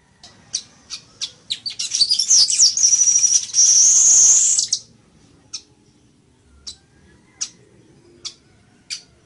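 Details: Village weaver song: quick high ticking notes run into a loud, sizzling, buzzy trill of about two and a half seconds, followed by scattered single sharp chips.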